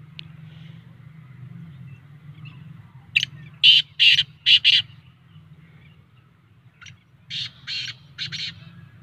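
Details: Kala teetar, or black francolin, in excited voice: a harsh chuckling phrase of four scratchy notes, a pause, then a fainter repeat of four grating notes, with a constant low hum behind.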